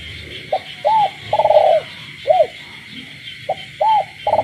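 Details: Kept spotted dove calling through the night in a rural village, repeating its short note, bowed coo and long rough coo in quick succession, with frogs calling steadily behind.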